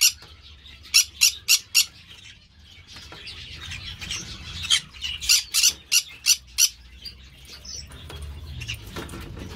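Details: Green-cheeked parakeet (Pyrrhura molinae) raised by an amateur breeder. Two volleys of rapid, harsh squawks, first four and then about six, are separated by a few seconds of quieter scratchy chatter.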